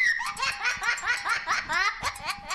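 A parrot mimicking laughter: a rapid run of about eight bright, hoarse 'ha-ha' bursts, each sliding in pitch, with faint music underneath.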